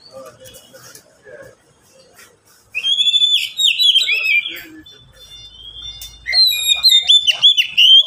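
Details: Caged Oriental magpie-robins, three birds taking turns: after quiet faint chirps, a burst of loud, varied whistled warbling with chattering trills, a pause, then another vigorous phrase of rapid, rising and falling notes.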